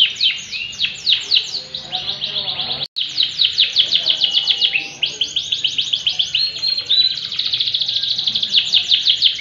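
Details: Lively yellow canary in full song, delivering continuous rapid trills of repeated chirps, with a short break near three seconds before the rolling high-pitched phrases resume and speed into a fine buzzy trill.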